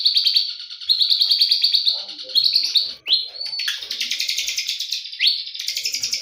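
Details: White-rumped shama singing in the morning, mostly rapid buzzy high trills broken by a clear upward whistled sweep.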